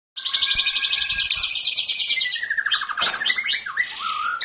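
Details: Magpie-robin singing a varied song: rapid chattering notes, then a long slurred whistle falling in pitch, followed by sharp rising and falling whistled phrases, over a busy background.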